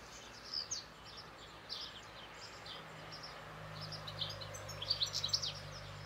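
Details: European goldfinch song heard rather faintly as scattered high chirps, becoming a denser twittering run near the end, over a steady low hum.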